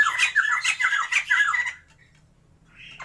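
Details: Caged white-crested laughingthrushes of the Sumatran form, a pair kept for breeding, giving a quick series of repeated falling whistled and squawky notes for under two seconds before going quiet, with a soft hum.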